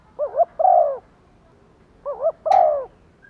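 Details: Spotted dove used as a decoy, giving urging and calling coos to draw wild doves: two phrases, each a short wavering double note then a drawn-out descending coo, with a faint click on the second.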